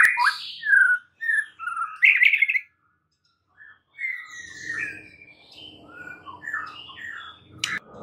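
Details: White-rumped shama singing a training recording meant to rouse other shamas into song: varied rich whistled phrases, sliding and warbling, then a pause and softer twittering notes over a faint low hum.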